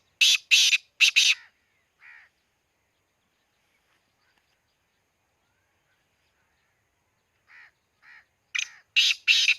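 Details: In Khushab, a black francolin gives its grating call twice: a loud rasping triplet opens the recording, quiet softer notes fall in between, and the harsh phrase returns at the end.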